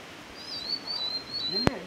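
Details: A shy Nilgiri blue robin calls from inside shola undergrowth at Kotagiri in January 2022: a thin, high, wavering whistle held nearly two seconds, with a sharp click and a low human voice near the end.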